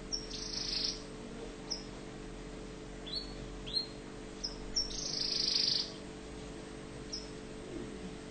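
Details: An orange Tunisian canary sings in bright, high bursts: rasping trills and short sharp chips repeated irregularly, over a steady low electrical hum.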